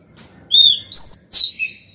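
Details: Caged female white-rumped shama singing to call the male: three loud, clear whistled notes in quick succession, the first level, the second rising, the third sharply falling with a trailing buzzy tail.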